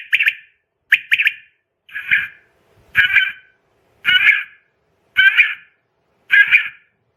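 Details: Quail call played at night to attract quail for catching: about seven rougher, buzzier phrases, some paired and some single hoarse bursts, spaced roughly one second apart, with no other sounds.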